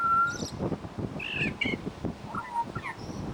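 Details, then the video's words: Pied butcherbird at a bird sanctuary imitating other species: a long pure whistle, then harsher doubled screechy notes, then quick slurred whistles, against a rumbling background. "Amazing mimicry by Pied Butcherbird"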